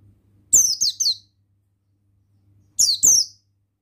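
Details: Male Oriental white-eye of the buxtoni form, used as a lure to stimulate other males to sing: two short bursts of very high, thin, descending chirped notes about two seconds apart, over a faint low hum.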